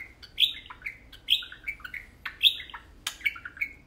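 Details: A pair of tame pet parakeets talking at play; short whistled chirps with bent, sliding pitch follow one another quickly, interleaved with a few sharp clicks.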